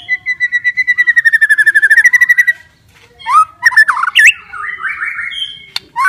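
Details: White-rumped shama song meant to stimulate stressed shamas: a fast trill of about twenty evenly repeated whistled notes, then a pause and a burst of slurred, looping whistles and clicks.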